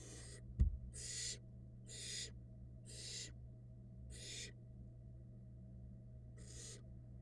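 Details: Female barn owl feeding her fluffy nestlings in a Florida nest box, 2022: a sharp knock, then six regular rasping hisses about one per second, ending after a gap, with a steady low hum beneath.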